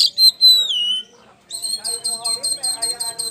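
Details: Kacer poci, or Oriental magpie-robin, a champion songbird in full ngeplong style, used as a lure. Clear whistled notes slide downward and stop. After a pause comes a fast, even series of sharp high chips over softer warbling.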